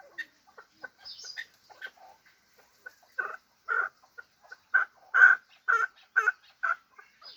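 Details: Soft scattered notes from a hybrid fighting chukar partridge give way to a rhythmic series of loud, harsh chuk calls about twice a second.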